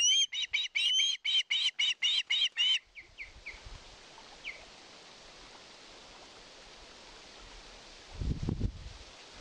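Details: Nest-camera recording of an osprey in Satakunta, Finland, 2022, asking for fish: a quick run of shrill, clipped whistles for about three seconds, then fading calls, background hiss and a low rumble near the end.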